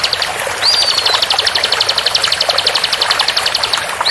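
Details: Bar-winged prinia, a fast, close-packed 'tembakan' song burst used as a master recording for training captive birds: a rapid, even series of high chipping notes running for about three seconds over steady running water.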